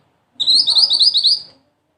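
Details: A single quick phrase from a black-and-red mantenan: about a second of fast, buzzy, high-pitched trilled notes that rise slightly and then fade, on a quiet background.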